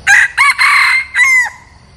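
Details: Crow of a red junglefowl decoy bird used for luring wild birds: two quick harsh notes, a sustained rough middle note and a last note fading away, the whole phrase lasting about 1.5 seconds, then near silence.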